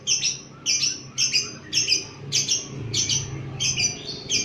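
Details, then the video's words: Agitated lovebird responding to a lure recording, uttering sharp, high, doubled squawks roughly every half second, each a short harsh burst, over low background hum. "Love bird emosi pas u pancingan 100% ampuh"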